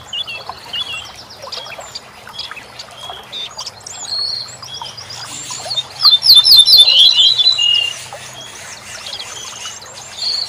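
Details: Corn bunting song used for tutoring songbirds. Several seconds of light twittering from other birds lead up to one loud jangling burst of quick repeated notes and a fading rattle, then the background chatter resumes.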